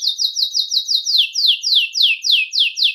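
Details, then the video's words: Belgian canary singing to attract canaries: a quick run of short notes, then slower, longer falling whistles at about three per second, clear and alone. "CANTO PARA ATRAIR E CHAMAR O CANÁRIO BELGA"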